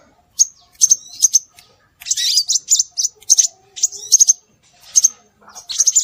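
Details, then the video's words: Scarlet minivet calling on a bird-luring track: short, piercing high whistled notes, often doubled, repeated irregularly, with a few sweeping twittery phrases between them. "Suara Burung Sepah Raja"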